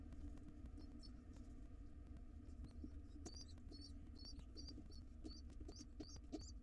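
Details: Wild pigeon nestlings in a monitored nest box begging to be fed as their father returns; faint, thin high peeps begin partway through and repeat steadily over a loud low rumble and scattered knocks.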